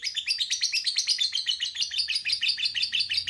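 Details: Lovebird chattering steadily with a fast run of short, high, scratchy chirps, roughly three per second, evenly sustained throughout, with no other sounds.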